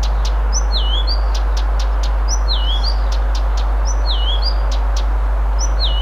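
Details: Blyth's reed warbler singing in Moscow, Russia on June 1, 2021: clear, high whistled phrases with sharp clicks, each motif repeated after short pauses.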